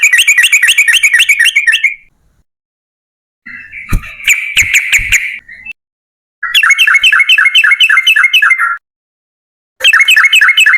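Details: Yellow-vented bulbul (trucukan) in lively 'gacor' long rapid song, a lure for other bulbuls: bursts of fast chattering, bubbling notes lasting about two seconds, separated by pauses, with a few sharp clicks midway.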